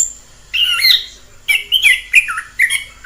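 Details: Orange-headed thrush heard in the wild giving a few rich, slurred whistled phrases in the middle range, each brief, separated by short pauses, after a quiet opening half second.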